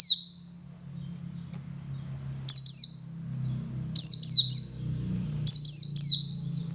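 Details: Male Oriental white-eye singing in ngalas style to prompt other white-eyes to sing: clusters of two or three high, thin, downslurred chirps, separated by short pauses, over a steady low hum.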